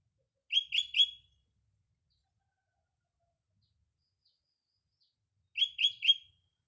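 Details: Morning song of a sooty-headed bulbul in a green natural setting: a quick phrase of three bright chirps, a pause of about four seconds, then the same three-note phrase again.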